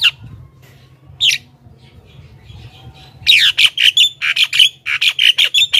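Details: Javan myna in full chatter, used to attract wild mynas: two early harsh squawks, then a rapid, uneven series of buzzy, rasping notes over the final two and a half seconds.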